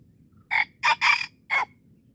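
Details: At Darul Kamal, Aceh, a wild red junglefowl being lured crows once: a brisk, hoarse four-syllable phrase lasting about a second, its middle notes closely joined, against faint low background noise.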